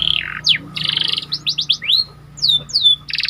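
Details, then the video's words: Panda canary in energetic song: a buzzy roll, quick upward slurs and a rapid cluster of rising notes, then two descending whistles and a final buzzy trill. "Meningkatkan Emosi Dengan Kicauan Burung Kenari Panda Gacor"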